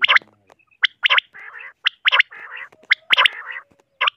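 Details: Common quail (batair), three birds: sharp clipped high calls alternate with lower burry, rattling notes, packed closely and overlapping, repeating about once a second.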